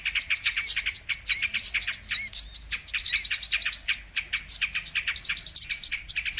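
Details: Brown-throated sunbird (kolibri kelapa) lure recording for trapping: an unbroken, rapid, tinny twitter of high chips and short trills, fairly even in loudness across the clip.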